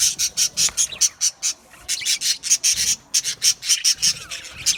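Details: Australian budgerigars in an aviary colony, chirping steadily: evenly spaced harsh, high squawky notes about four per second, with a short pause midway before the rhythmic series resumes.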